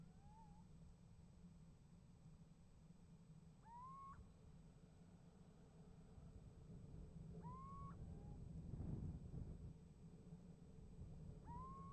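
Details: Little owl calling and answered by another at a nest box, 28 January 2015. Three loud, rising whistled notes alternate with fainter, lower whistles, the reply, over a growing low rumble.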